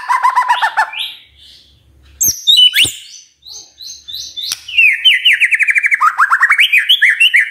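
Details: Morning magpie-robin song used to get other magpie-robins singing: a fast warbled burst, then loud sweeping whistles and clicks, ending in a long quick series of rising chirped notes, repeated several times per second.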